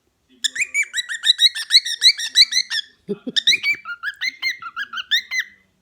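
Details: Indoor pet cockatiel calling after being told it may not eat its owner's food; about three sharp, metallic chirps per second in an even series, a short break with a woman's voice, then lower, slurred chirps ending in a drawn-out note.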